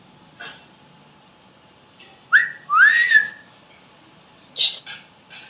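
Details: Talking pet Indian parrot, loud and chatty. A soft click comes first, then two clear whistled notes sliding upward, the second longer and wavering. A sharp squeaky burst follows, with faint clicks between.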